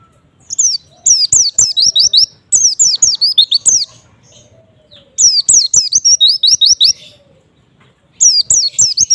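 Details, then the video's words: Repeated white-eye song phrases aimed at provoking other white-eyes, three long bursts of rapid high whistling, each mixing falling slurs and rising chirps, with roughly one-second gaps between them. "semua jenis pleci pasti respon setelah dengar suara pleci ini"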